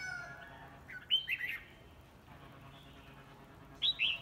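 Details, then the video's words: Red-whiskered bulbul singing in a competition: a quick cluster of sweet whistled notes around one second in, a long quiet gap, then one more brief, slurred whistle near the end. "Chào mào hót đấu"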